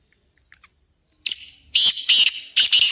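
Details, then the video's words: Black francolin call for luring and prompting kept birds: faint ticks, then a run of loud, echoing grating notes, roughly four bursts in under two seconds. "تیتر کی بولیاں - کالا تیتر بلانے کا طریقہ"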